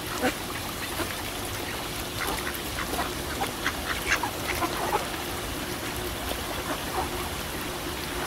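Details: Ducks on a pond: many scattered, soft, nasal quacks overlap throughout, set against a constant wash of water noise.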